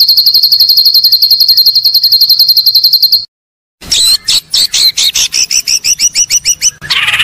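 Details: Top-quality white-rumped shama master song used for training: a long rapid high trill, a pause, then a jumble of sharp chips, quick whistled slurs and a buzzy ending.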